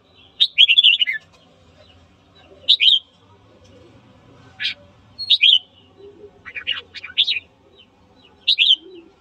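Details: Red-whiskered bulbul morning song for stirring up fighting: repeated short bursts of bright, jumpy whistled notes every second or two, some phrases warbled, others single sharp chips.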